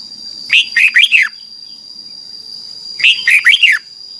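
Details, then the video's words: Red-whiskered bulbul song from Thailand, played for caged young birds to learn: two short bright phrases of four to five quick slurred whistled notes, about two and a half seconds apart, over a steady high electrical whine. "นกกรงหัวจุก, 30 นาทีทุกเช้า เพื่อให้นกเรียนรู้ที่จะพูดได้อย่างรวดเร็วและหนักแน่น"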